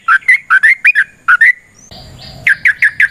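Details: Wild yellow-vented bulbul singing a long, rapid 'ropel' song, used as a lure to make other bulbuls sing: quick bursts of short, slurred whistled notes, repeated about every quarter second, briefly broken by a harsh noisy burst.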